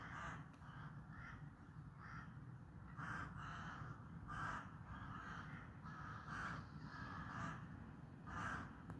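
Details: Crows giving a long run of harsh caws, roughly one per second with uneven spacing, some louder and closer, over constant low rumble.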